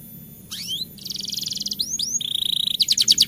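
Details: A canary rolling its song in the rainy season as a prompt for quiet birds: rising swept whistles, a buzzy sustained trill, then pulsing high chattering notes.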